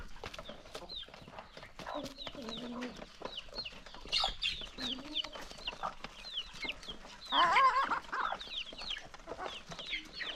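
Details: Hungry chickens pecking at their morning feed in the countryside: faint, scattered high downward chirps over a low rustling background, broken by a few louder bursts of activity.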